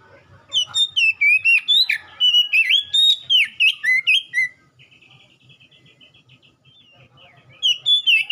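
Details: Oriental magpie-robin song played to prompt a cage bird to respond and sing: rapid, varied whistled phrases with slurred and rising notes, then a soft buzzy rattling series, before loud whistling resumes.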